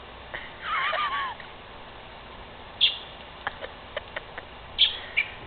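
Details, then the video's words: Northern mockingbird calling from a tree at nighttime: a warbled sliding phrase near the start, then scattered sharp clicks and two high, brief chirps, with a quiet hiss behind. "Mockingbird Makes Noises In A Tree"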